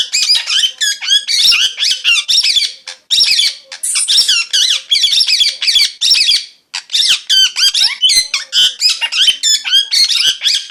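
A parrot chirps almost nonstop in fast, high, squeaky bursts and rapid warbling twitters, with brief pauses between runs; no other sounds stand out.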